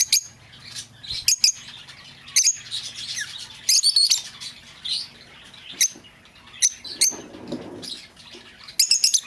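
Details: Lovebird calls played to lure back an escaped bird: sharp, high chirps and squeaks in short separated bursts, some doubled, with quiet gaps between them.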